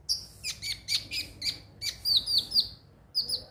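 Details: Ruby-cheeked sunbird used as a lure to make birds sing daily: sharp, high, thin chirps in irregular clusters, some with a short downward slur, a brief pause near the end before more notes.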